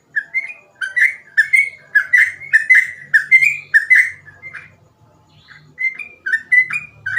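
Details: Sooty-headed bulbul singing gacor ropel style: a rhythmic run of short, slurred whistled notes for four seconds, a brief pause with a thin faint note, then the whistled series resumes; faint low hum underneath.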